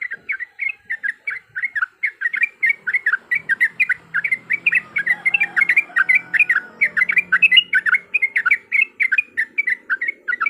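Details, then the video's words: Extended yellow-vented bulbul fighting song used as a lure: a dense, unbroken chatter of quick, throaty chirps and warbles running for ten seconds, with faint background murmur. "PANCINGAN BIKIN TRUCUKAN LANGSUNG BUNYI IKUT TARUNG GACOR"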